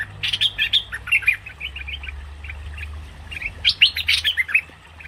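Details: Lure call of cream-vented bulbul for trapping: irregular bursts of quick twittering, scratchy chirps, a quieter pause, then another lively cluster of sharp notes; faint low hum behind.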